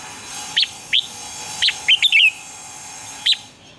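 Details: Red-whiskered bulbul singing in the morning: several separate sharp whistled notes, then a brief fast flourish of bubbling chirps, with a steady electrical hum behind.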